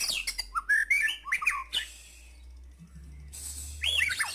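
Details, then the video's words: White-rumped shama, kept as a cage bird, singing energetically: bursts of rapid whistled and chirping notes with upward slurs, a quiet pause with low hum, then a final burst of high sweeping whistles. "Burung murai batu gacor banget"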